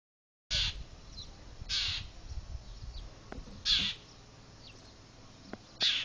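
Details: Wild bird calling near a house while harassing a cat, chirping to summon other birds and diving at it; four short harsh bursts, roughly two seconds apart, with faint low background noise.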